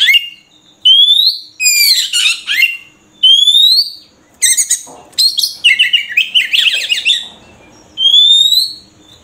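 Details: Murai kampung, the Oriental magpie-robin, gives long upward-sweeping whistles between bursts of harsh scratchy chatter, phrases separated by brief silences, with a faint low hum behind.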